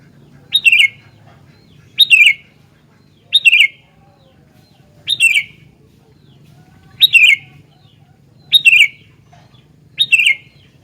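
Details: Sooty-headed bulbul singing actively: short bright phrases that rise sharply and then fall in a warbled tumble, repeated about every one and a half seconds, seven phrases in all, over a faint low hum.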